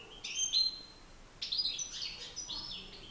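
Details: Singing contest between European goldfinch males, a master bird facing an excited rival: two quick bursts of bright, high liquid twitters, the second phrase longer with a buzzy trill.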